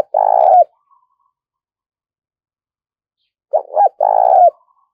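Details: Decoy spotted dove calling to draw in other doves: a long, low, burry coo, then after a pause two quick short notes followed by another drawn-out rolling coo; quiet background.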